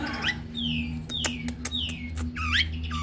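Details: Male white-rumped shama singing in the fast, dense 'pentet speed rapat' style: clear, high whistles slurring downward, repeated several times among sharp clicks, ending in a looping up-and-down whistle, over a steady low hum.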